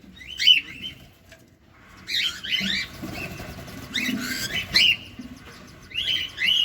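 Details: Cockatiel calling as it feeds: scattered clusters of rapid, rising, buzzy-edged chirps separated by quieter pauses, plus some low rustling noise.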